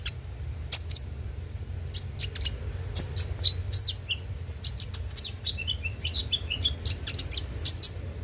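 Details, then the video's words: Konin (brown-throated sunbird) song for provoking kept birds to sing: sharp high chips and quick twittering phrases, with brief falling whistles, repeated through the passage over low background noise. "pancingan suara burung KONIN agar rajin bunyi tiap hari"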